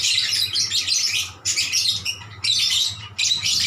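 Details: Lovebirds answering each other with loud, high-pitched twittering bursts of about a second, separated by brief pauses.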